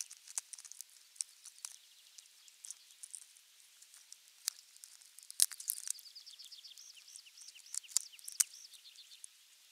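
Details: Osprey at the nest on 23 June 2020, nest camera 3, during a morning meal of a half-kilo crucian carp; scattered clicks and taps, then a rapid train of high, arched whistled notes.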